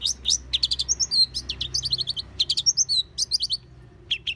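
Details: Long-tailed shrike in the wild, delivering a fast chattering run of high, clipped notes and short whistles in rapid clusters, scarcely pausing, over a faint low hum.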